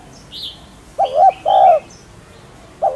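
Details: A single spotted dove phrase: a wavering coo then a drawn-out steady coo, followed by the start of another, with a faint high chirp from another bird just before.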